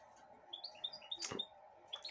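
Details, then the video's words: Goldfinch hybrid being hand-fed broccoli; a string of short rising and falling whistled notes, broken by a louder rustle or click, then more high chirps, with indoor hum. "mixto de jilguero 2022 comiendo brokoli en mi mano, (piolin)"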